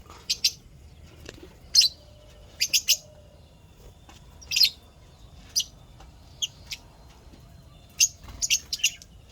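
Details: Pet lovebirds, described as happy, give scattered sharp high chirps, often in pairs or small clusters, separated by quiet gaps of one to two seconds.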